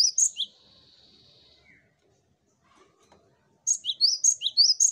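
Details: Cinereous tit, song used to make other birds start singing: a few high chirps, then a thin sustained tone and a pause, followed by a fresh burst of quick repeated paired notes.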